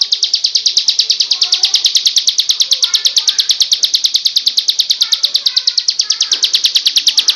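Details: Bar-winged prinia, the crystal ciblek type, singing a fast, even string of high, sharp chip notes, about seven per second, held steady throughout, with faint lower chirps and soft background sounds beneath.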